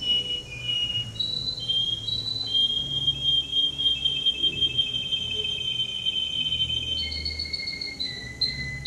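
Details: Male canary, entry number 10 at a singing competition in Rostov-on-Don on 22 January 2011, sings long, sustained whistled tours that step between pitches. A bright, steady rolling line holds through the middle, and a low room hum sits underneath.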